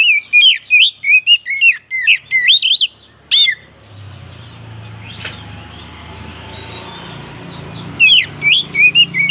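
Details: Kacer, or oriental magpie-robin, giving a provocation song to raise other birds' emotion: a fast series of loud whistled notes for over three seconds, then a low rumbling background noise, before the whistling returns.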